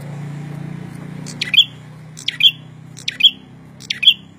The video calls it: suara burung prenjak gacor